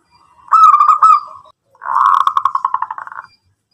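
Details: Local zebra dove in active song, used to stimulate other doves to reply; a short cooing phrase with a fading tail, then a longer rolling, pulsed purr of cooing notes.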